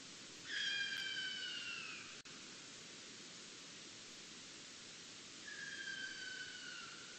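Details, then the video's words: Sooty owl in the Tippy Gully catchment of Ada Forest, Victorian Central Highlands, beside an active logging coupe, recorded by an automated Song Meter: two long, slowly falling whistled screeches with harmonics, seconds apart, over steady hiss. "Sooty Owl Vocalisation Recording"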